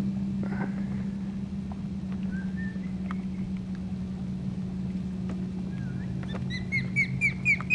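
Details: Nesting osprey in South Florida, disturbed as a family kayaks too close: a quick series of short rising whistled chirps near the end, over a steady low hum with a few faint scattered notes earlier.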